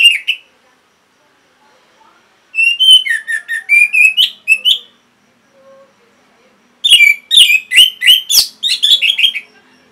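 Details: Orange-headed thrush, Geokichla citrina, singing in Singaraja, Bali, as a lure track for caged birds: bursts of varied whistled and twittering notes, two long phrases separated by silence, some sharp clicks.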